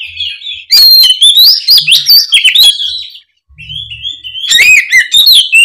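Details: Energetic open song of an Oriental magpie-robin, played to prompt a spotted young bird in molt to respond; long run of rich, rising and falling whistles with harsh accents, a short gap, then more fluid whistled phrases.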